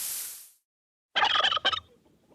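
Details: Turkey gobbling: a brief, rapid rattling burst of about two-thirds of a second with a short second pulse, following a fading hiss and a pause.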